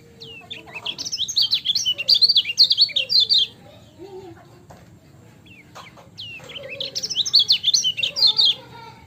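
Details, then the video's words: Lemon-bellied white-eye, locally kecial kuning, singing a lively training-tutor song: two bursts of rapid, twittering, high-pitched notes with quick rising and falling slurs, separated by a short quiet gap. "MASTERAN KECIAL KUNING CIAK JOSS GACOR"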